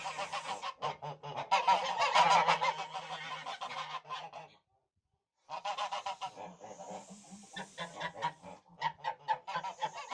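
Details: Tula fighting geese, a Russian domestic fighting breed, honking in loud harsh bursts, a dense run of rapid nasal honks, a brief silence, then further repeated honks with a thin high hiss above.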